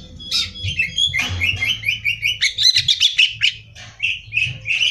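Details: Greater green leafbird singing for contest training: a rapid, rhythmic sequence of sharp chips and whistled notes, about four per second, ending in sweeping slurred whistles, over a low hum.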